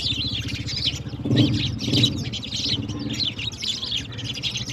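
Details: Sparrows playing with water in the morning: steady bursts of high chirping over a constant low mechanical hum, with a couple of louder flutters.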